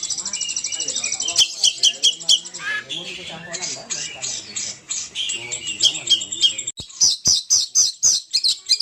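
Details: Indonesian poci bird lure call: rapid high trilled chatter and squeaky phrases, ending in a series of sharp clicking chips repeated several times a second.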